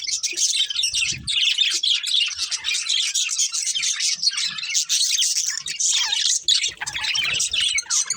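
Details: A breeding pair of budgerigars in lively chatter: rolling warbled chirps and short squeaks overlap continuously, with a few faint low knocks and rustles.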